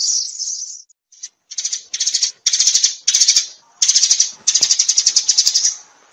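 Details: Sparrow flock call given as a string of short, high, buzzy chattering bursts, each made of fast pulses, separated by uneven silent gaps.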